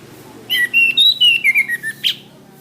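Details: Orange-headed thrush song used as a master recording for training cage birds: a rapid string of clear whistled notes, stepping gradually downward, ending with a sharp higher note. Low hum underneath.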